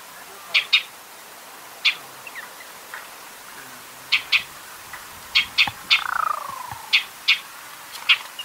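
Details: Shining Sunbird in natural desert habitat of Africa or Arabia: sharp, high single and paired chip notes spaced irregularly, about a dozen, with one softer falling slur midway, over quiet background.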